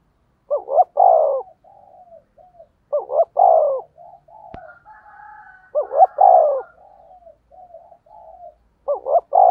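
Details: Spotted dove decoy bird calling to lure wild doves: loud, deep cooing phrases of two quick rising notes then a long mellow coo, followed by softer trailing coos, repeated about every two and a half seconds.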